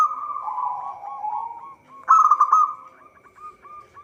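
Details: Zebra dove of a local strain, singing steadily for use as a trapping lure: a murmuring run of coos, then a loud rolling burst and a spaced series of short hooked notes fading out.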